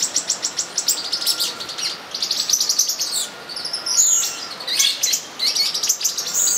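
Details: In São Bento do Sul, Brazil, olive-green tanagers during mating fill the air with quick, high-pitched chips in fast series and occasional sweeping squeaks, several birds calling at once.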